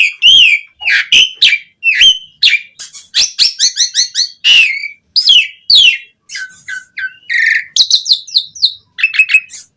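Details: Asian pied starling song to encourage starlings to sing: a steady run of loud slurred whistles and harsh buzzy notes, with rapid chattering bursts and a brief nasal note near the end.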